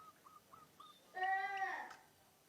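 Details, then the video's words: A munia gives four soft, quick notes, then a drawn-out nasal, buzzy phrase, said to mimic the cooing of a zebra dove. "burung pipit/emprit bisa meniru suara perkutut"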